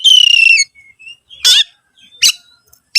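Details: Oriental magpie-robin, song played as a lure to prompt other birds to sing; a rich warbled phrase with rising inflection, then two loud harsh rasping bursts separated by a soft thin whistle.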